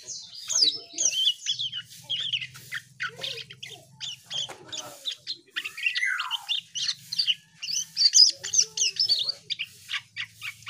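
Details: Asian pied starling in full gacor song, a busy stream of high squeaks, chirps and slurred whistles packed closely, with a quiet low mechanical hum in places.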